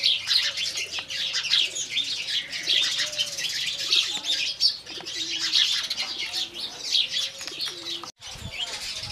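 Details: Morning chirping of Indian house sparrows: continuous busy tweets from many birds, with a dove's gentle cooing underneath and a brief dropout near the end.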